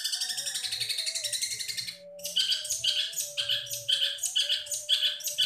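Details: Long-tailed shrike singing its full repertoire of mimicked songs: a rapid, rattling high chatter, a brief pause, then varied sharp chirps and buzzy notes, over a faint steady low hum.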